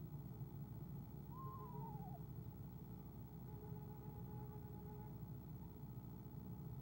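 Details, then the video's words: Eastern screech-owl on a nest camera, 17 February 2015, giving a soft trill as its mate arrives: a single quavering, wavering note sliding downward over under a second, over steady low rumbling background hum. "soft trills"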